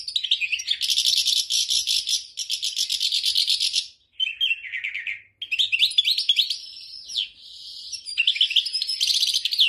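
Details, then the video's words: Goldfinch performing tolaa notes, a fast high-pitched twitter with rattling buzzy bursts, a short lower warbled phrase midway, then chirpy slurred notes and another buzzy trill after brief pauses. "طائر الولوال يبدع بتغريد نوتات ديال التولاع"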